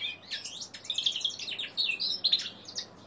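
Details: A 3-month-old male common linnet × canary hybrid, still learning to sing, gives a rambling, twittering stream of high chirps, trills and short whistles, varied and unsettled, with no other sounds.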